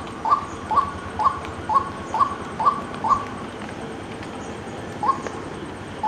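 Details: White-breasted waterhen calling in a quick series of short, slightly upswept hollow notes at roughly two per second, pausing briefly midway before resuming with two more notes.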